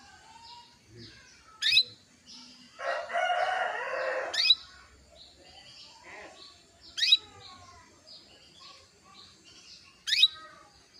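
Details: Female canary calls meant to excite a male into song: four short, piercing, high chirps at irregular intervals of roughly three seconds, amid soft twittering and one brief burst of harsh noise.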